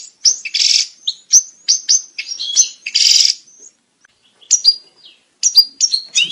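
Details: European goldfinch breeding-condition call meant to stimulate males and females to mate; short bursts of liquid twitters and harsh buzzy notes, separated by short silences, then resuming with clear rising and falling chirps.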